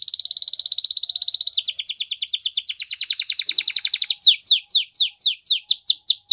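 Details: Canary song for teaching young canaries: very fast high trilled tours changing pitch every second or so, ending in a series of slower, loud, falling swept notes repeated about twice a second.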